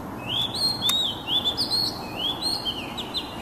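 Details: Song of an oriental magpie-robin, the kacer, used to coax stressed birds into singing: clear, looping whistles repeated in quick succession, some sliding upward, with a sharp click near the start.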